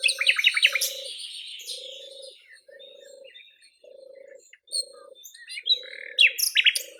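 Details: Nightingale singing on a flowering cherry in Russia: bursts of rapid, sharp repeated notes open and close the phrase, with scattered high chips between, over a steady low buzzing pulse repeating about once a second.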